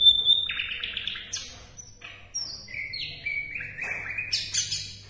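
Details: Asian brown flycatcher song, offered as a tutor recording for competition songbirds: a varied run of high, clear whistled notes stepping up and down, some buzzy and slurred, with short pauses between phrases.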